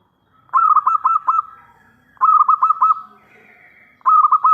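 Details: Zebra dove of local stock, singing loudly as a decoy to draw replies from other doves: three repeated cooing phrases about every two seconds, each a fast string of bubbly, rolled notes held at one pitch.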